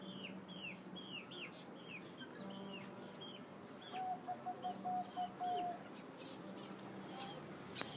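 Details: Zebra dove singing in the middle-pitched voice style: a mid-level run of short, rapid staccato coo notes for about two seconds. Higher chirping calls from other birds come before and after, over a steady low background hum.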